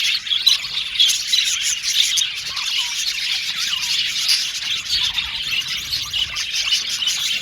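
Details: Aviary colony of male budgerigars, blue and violet birds, chirping and warbling together: an unbroken, busy stream of high twittering notes with occasional sharper chirps standing out.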